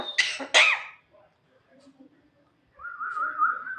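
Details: Female Javan myna, a bird said to be able to talk, giving two loud, abrupt, noisy coughing bursts. After a quiet gap comes a steady, slightly wavering whistled tone.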